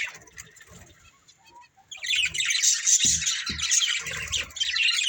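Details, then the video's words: Breeding pair of budgerigars kept as a family: after a quiet, faint start, dense overlapping chirps and warbling chatter fill the second half, bright and high with a few low knocks. "Beautiful Budgies Chirping Sounds"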